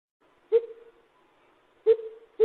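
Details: Lesser coucal giving deep, hollow hooting notes, two clear ones about 1.3 seconds apart and a third beginning at the end, each with an abrupt start and a short fading tail, in quiet surroundings.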